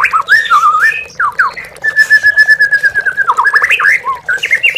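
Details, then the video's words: Oriental magpie-robin song meant to stir captive birds into singing. Quick slurred whistles, then a long steady whistled note held about a second and a half, followed by rapid descending notes, over running water. "MURAI BATU MANDEK BUNYI"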